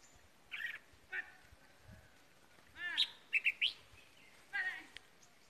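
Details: Red-whiskered bulbul kept as decoy during Tết, a quick triple-note whistled phrase following buzzy chirps and a harsher rasping call from another bird, with soft thumps below.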